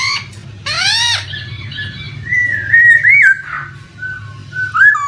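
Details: Laughingthrush lure sound for a bird that has stopped singing: a harsh rising rasp, then long wavering whistled notes and a short upslurred whistle, with rushing water beneath.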